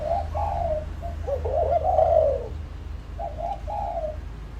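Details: Spotted dove lure calling to draw in wild doves: a drawn coo, then a bubbling run of short notes swelling into a long louder coo, and two quieter coos at the end.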